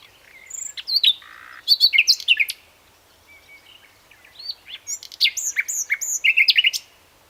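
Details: A common nightingale sings two rich phrases of clear whistles, sliding notes and chattering bursts, with a short soft passage of thin notes between them and a quick series of repeated notes at the end.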